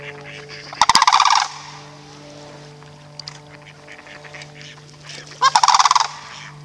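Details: Rolling, rattling calls of sandhill cranes at Riefel bird sanctuary: two loud bursts about four seconds apart, with faint softer notes between them over a steady low mechanical hum.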